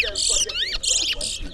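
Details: Towa towa bird singing in a competition in Berbice, Guyana; a loud, bright, high warbled phrase of quick rising and falling notes sung in bursts with short gaps, then a spoken count.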